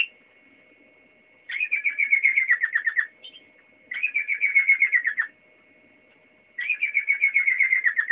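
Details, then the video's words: A Waterslager canary sings three bubbling, rolling tours of about one and a half seconds each, notes pulsing rapidly and dipping slightly in pitch, with short pauses between phrases. "Kanarie waterslager aan het zingen"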